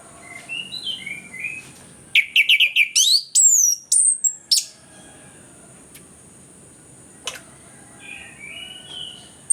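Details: Orange-headed thrush in active song, a lure to get lazy birds singing: soft, scattered warbled notes, then a loud two-second rush of sharp, high, sweeping whistles, followed by quieter phrases and a faint steady high whine.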